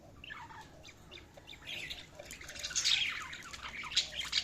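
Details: Budgies chatter softly at first, then grow into a louder jumble of scratchy high chirps and twittering toward the end, over a faint background hiss.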